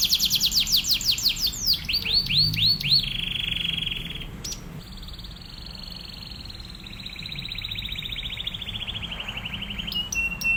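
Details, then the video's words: Master song of an Atlantic canary for tutoring other canaries: it opens with fast repeated falling sweeps, then slower looping notes, then long sustained high trills lasting several seconds, and ends with a few sharp chips. "KENARI GACOR//TEMBAKANNYA NGEBREN... MASTERAN BURUNG KENARI"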